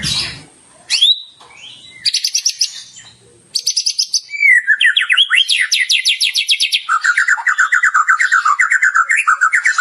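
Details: White-rumped shama in full song with varied mimicked phrases for caged birds to copy: scattered sharp whistled notes and short rattles, then a long run of rapid upslurred notes and lower warbling chatter.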